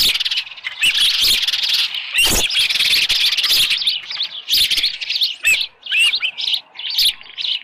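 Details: Osprey at its nest, 24 July 2018, early morning, with a headless fish. Dense, continuous high chirping overlaps with rustling and knocking noises, and sharper chirps follow later.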